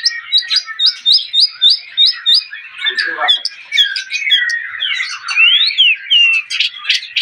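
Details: Javan pied starling with rare golden colouring, singing: a run of short repeated chirps, then harsh squawky chatter mixed with sliding whistles and buzzy notes, fairly continuous.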